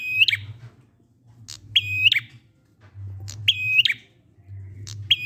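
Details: Ngalun-style prinia song played to make stalled prinias join in: three buzzy phrases, each introduced by a high tick and closed by a downward slur, repeated roughly every second and a half, with a low hum behind.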